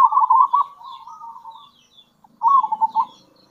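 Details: A loud rippling coo from a local zebra dove trails into a soft, drawn-out note, then a second short, bubbling burst follows. These are kerot and bekur calls used to lure other zebra doves.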